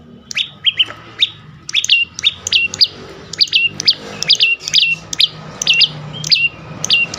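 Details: Prinia, a lure sound for birds that will not sing: a dense, lively run of high chirps, each dropping sharply in pitch, several per second, over steady low background noise.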